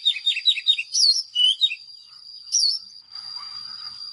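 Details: Oriental magpie-robin decoy song: a burst of rapid chirping notes and a few loud whistled slurs in the first three seconds, then only soft background noise and a steady high tone.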